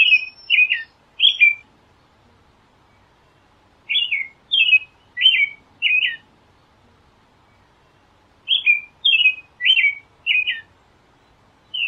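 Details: Caroling song of an American robin, given in bouts of three or four clear whistled phrases, each bout followed by a silent pause of a few seconds before the next begins.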